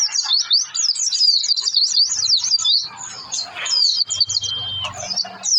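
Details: Energetic Oriental white-eye song used to draw out singing in other white-eyes: rapid high twittering at first, then a steady thin whistle and scattered chirps over a low background hum.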